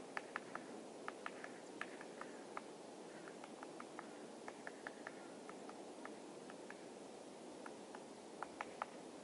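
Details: Great spotted woodpecker pecking dead trees for food on Tatyshev Island, Krasnoyarsk, on the Yenisei River; sharp dry taps in irregular bursts, some rapid doublets, steady across the clip over a soft constant background hiss.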